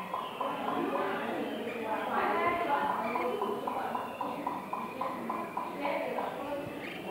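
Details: Chinese hwamei, a bold first-season bird, pouring out a rapid, staccato stream of repeated mid-pitched notes, fired off in quick machine-gun bursts several times a second.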